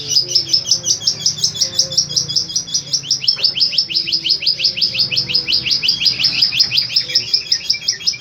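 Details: Long-tailed shrike with repeated 'tembakan' phrases and strong power: a long, steady trill of fast, sharp downslurred high notes, nearly three per second, running the whole time, with a faint low hum behind.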